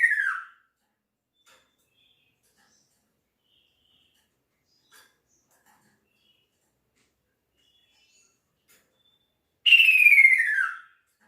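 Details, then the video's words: Male kaso-kaso bird calling its female: a loud whistled note sliding downward, heard cut off at the very start and again fully near the end, with near silence between. "Kicau Burung Kaso Kaso Jantan Memanggil Betinanya"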